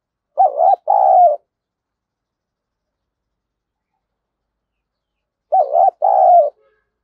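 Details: Spotted dove kept as a decoy to lure wild birds, cooing: two loud two-part phrases about five seconds apart, each a rolling, wavering coo followed by a longer, steady, slightly falling coo. Silent between them.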